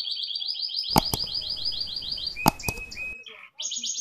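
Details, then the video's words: Indoor canary in long rolling song: a steady rapid trill held for about three seconds, broken by sharp clicks and knocks, then a brief pause and another fast high trill. "KENARI GACOR NGEROL PANJANG waloupun di dalam ruangan"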